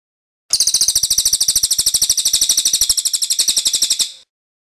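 Cililin giving a long, very high, dry trill: a steady roll of rapid ticking notes, about ten per second, lasting three and a half seconds, with nothing else heard.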